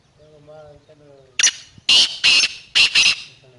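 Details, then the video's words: Black francolin perched on top of a rock and calling: after soft background voices, a sharp note then four loud, harsh, grating bursts in a rapid, rhythmic phrase lasting under two seconds. "Kala Teetar Awaaz |Teetar ki Awaz | Black Teetar calling |Partridge voice | Calling from top of rock"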